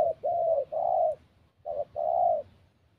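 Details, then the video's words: A spotted dove gives low, soft coos in two phrases, a short note then two longer throaty coos, then a pause and a short-long pair. "Chim cu gáy"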